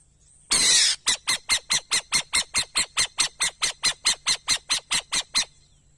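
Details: An owl lets out a drawn-out rasping screech, then a steady train of about twenty brief hissy bursts, close to four per second, in calm, quiet surroundings.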